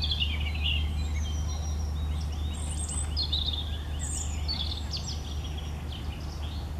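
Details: European robin singing: thin, high, sweet notes in short varied phrases, some sliding and some trilled, scattered over several seconds above a steady low rumble of background noise.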